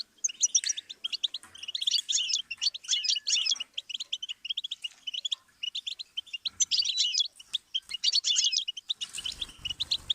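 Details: Stimulus recording of goldfinch song for songbirds to learn, with dense liquid twitters and trills in quick phrases, short pauses between them, and a low rumbling noise at the very end.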